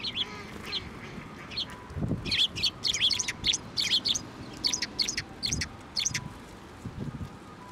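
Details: Sparrows flying onto a person's hand to be fed at a Tenmangu shrine, 7 November 2023: bright, sharp chirps in quick clustered bursts, several birds calling together, with soft thumps and handling noise beneath.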